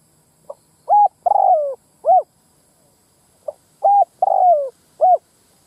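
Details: Spotted dove lure call for attracting wild males and females. The four-part cooing phrase is heard twice: a faint pip, a firm coo, a long sliding descending coo and a brief closing coo. No other sounds.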